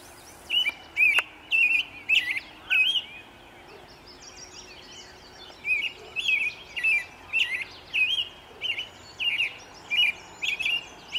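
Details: American robin (Turdus migratorius) singing in early morning sun, 11 May 2013: quick, clear whistled caroling phrases, several per second-and-a-half, pausing briefly before a second run; faint steady background hiss.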